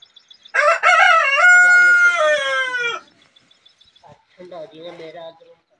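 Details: White rooster crowing: one loud harmonic crow lasting about two and a half seconds, starting with a rough rising note and then holding a long, steady, slowly falling tone, followed by softer, lower clucking calls.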